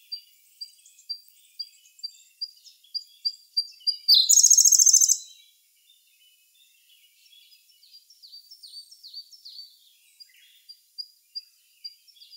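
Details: Siberian blue robin singing in May 2021, recorded with a Sony A1: evenly spaced high, thin notes speed up into a loud, fast trill, then a fresh series of quieter, high, slurred notes begins.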